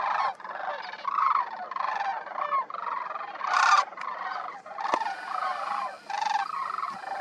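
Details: Sandhill cranes gathering on the ground at Pixley, Central Valley, California, on a December day while more fly in: continuous overlapping rolling, trumpeting calls from many birds, swelling and fading in waves.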